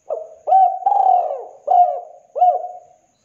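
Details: Spotted dove giving a 'kuk 2' style master song used for luring: five mellow, hollow coos, each swelling and then fading, spaced about half a second apart, with a longer drawn-out middle note. The background is clean.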